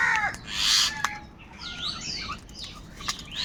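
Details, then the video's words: A crow, one of several squabbling over food, gives one loud raspy caw near the start. Other birds follow with thin sliding whistles and chirps in the background. "Kaka sound and noises of Crow birds | different kauwa ki awaz - কাকের ডাক Crow Sound Loudly"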